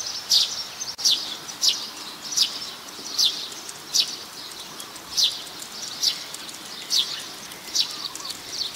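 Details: Plain-backed sparrow in Ubon Ratchathani, Thailand, recorded 17 January 2020: a long series of short, high chirps repeated at uneven intervals, with a constant high hiss behind them.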